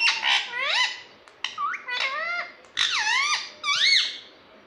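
An Indian ringneck parrot chatters in five short, squeaky, nasal phrases with swooping rising and falling tones and a speech-like rhythm, recorded indoors.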